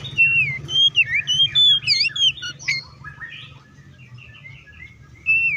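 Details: Oriental magpie-robin singing in full, combative style, used as a lure to provoke other magpie-robins to sing: rapid varied whistled phrases, rising and falling sweeps and sharp chirps, loud for three seconds, then softer scattered notes and a final loud phrase.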